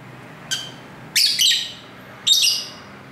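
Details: Lovebirds talking to each other in a home near a busy road, recorded with a camera's built-in microphone: a short quiet chirp, then a loud harsh double screech and one more shrill chirp over light background noise.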